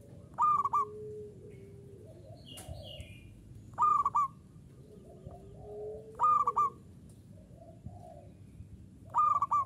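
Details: Local zebra dove cooing steadily in the ngayer style: a short burst of three or four soft, hollow mid-pitched coos, repeated roughly every two and a half seconds. Faint low murmurs and a light background hiss lie between the bursts.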